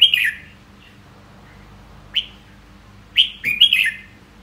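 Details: Red-whiskered bulbul delivering separate clear whistled phrases: an opening warble, a lone sharp note, then a rapid pair of chirpy, rolling phrases near the end, with quiet pauses between.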